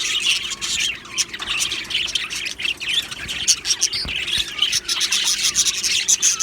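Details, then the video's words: Colony of happy Australian budgerigars chirping in an aviary, many birds at once producing a busy stream of high, warbling chirps and squeaky notes with short bright peaks over steady chatter. "Australian Budgie birds Chirping Sounds"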